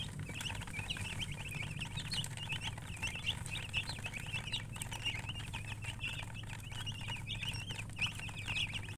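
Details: Many young chicks chirping together, an unbroken stream of thin high peeps repeated several per second, set against a steady low rumbling hum throughout.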